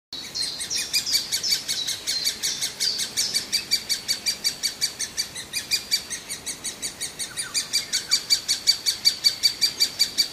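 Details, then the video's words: Hungry great spotted woodpecker chick begging nonstop: high, shrill chirps near the top of hearing, repeated almost three times a second in a steady, insistent series with slight swells in loudness. "Puiul de ciocănitoare pestriță mereu flămând"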